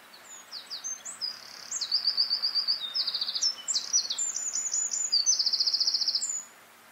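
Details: Eurasian wren singing in the Eifel: a loud, fast outpouring of high, sharp notes and rapid trills, building into long rattling runs and ending abruptly after about six seconds.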